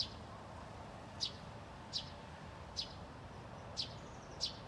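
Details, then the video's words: Two Eurasian tree sparrows in a thicket at Haga, 24 August 2021, calling: five crisp high chirps spaced under a second apart, with faint distant traffic noise underneath. "Pilfinkar lockar"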